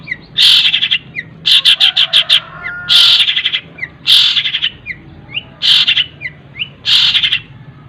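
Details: Cendet song stuffed with tengkek buto and linked sparrow-style phrases, recorded for mastering other birds: loud bursts of harsh rapid chatter alternating with short thin whistled upslurs, roughly seven bursts.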